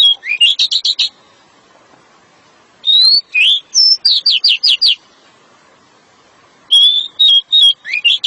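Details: Pied bushchat in dense, rapid-fire 'nembak rapat' song, offered as therapy audio for sluggish or silent bushchats. Loud bursts of quick, sharp, high chirps and whistled slurs come in rattling runs of five or six notes, separated by short pauses.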